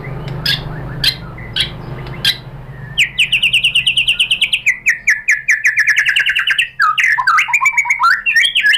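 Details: Song of a white-rumped shama meant to goad rival shamas into answering: a few scattered sharp chips, then a rapid run of clicking, chattering notes and varied whistles.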